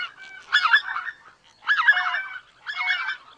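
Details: Greater white-fronted geese giving three bursts of rapid, jumbled, high-pitched honking about a second apart, with softer background calling between the bursts.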